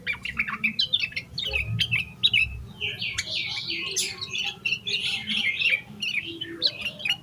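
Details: Agitated yellow-vented bulbul singing hard, its song full of fill-in phrases, used to stimulate other bulbuls; sharp chirps open into a loud bubbling, warbled stretch midway, followed by more choppy squeaks.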